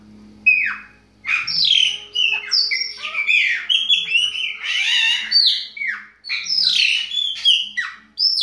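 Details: Chopi blackbird song from the Bahia region: loud, varied phrases of clear whistles, rich warbles and sharp squawky notes, delivered in quick bursts with brief pauses between them.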